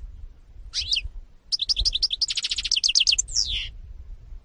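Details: A European goldfinch sings in 2018: a short descending twitter, then a long rapid chain of bright repeated chirps and trills ending in a buzzy slurred note, over faint low hum.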